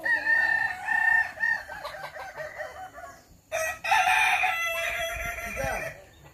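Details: Kukuak Balenggek roosters at a practice crowing contest in Sawah Lunto: two loud bursts of harmonic crowing built from short stepped, arched syllables, the second longer and brighter, with background chatter and noise between.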